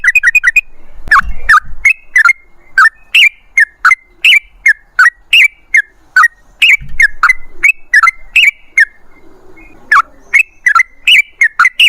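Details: Yellow-vented bulbul (trucukan) singing: a steady series of short, liquid, whistled phrases, each dipping then rising, repeated roughly twice a second with brief pauses, plus a couple of faint low thumps.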